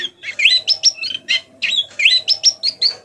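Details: White-eye learning to sing, soft 'ngeriwik' twittering used as a tutor to prompt other white-eyes to sing: high, quick chirped phrases with rising whistled notes, a burst of about eight notes repeated twice, with a faint low steady hum behind.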